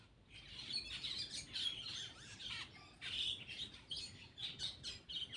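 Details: Black-winged myna eating and chattering steadily: rasping, buzzy notes mixed with short squeaky whistles, delivered in quick bursts with brief pauses between.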